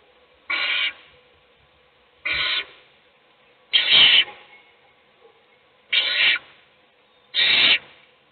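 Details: Owl chick inside a nest box receiving food from an adult as the other chicks sleep; five harsh, noisy hissing screeches, each under half a second, repeated every one and a half to two seconds.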